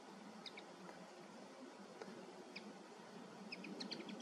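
Common linnet song: faint, short high twittering chirps in loose clusters, busier toward the end, over a steady background hiss.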